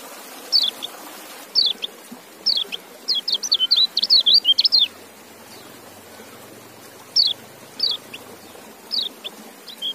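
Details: White-eye singing in quick bursts of thin, high, sharply slurred chirps, a dense run of notes in the middle and scattered phrases at the end, over a soft steady background hiss.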